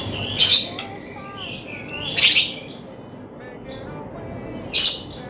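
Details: Young white-rumped shama training song before competition: loud sharp harsh bursts spaced about two seconds apart, separated by softer sliding whistles and brief high notes.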